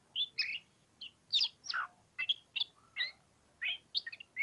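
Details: Oriental magpie-robin (kacer) singing in ngobra style: loud, varied whistled and chirpy phrases, some sweeping downward, delivered in quick bursts with short pauses between them.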